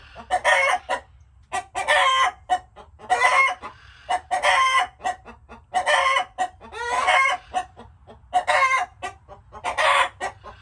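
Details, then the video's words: A steady cackling pattern from chickens: clusters of clipped clucks each lead into a loud, grating squawk, repeating roughly every one and a half seconds for over ten seconds. "Chickens making noises"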